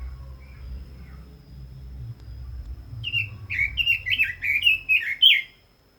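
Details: After three quiet seconds a red-billed leiothrix bursts into a lively, rapid phrase of slurred whistles, rising and dropping, that grows louder toward the end.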